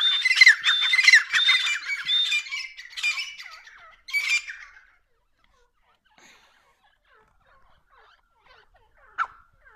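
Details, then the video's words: Grey francolin pair, Dakhni Irani type, giving loud, grating, repeated squawks in bursts over four seconds, then near silence with a few faint notes and one sharp final call. "Top dakhni Irani Tetar pair sounds"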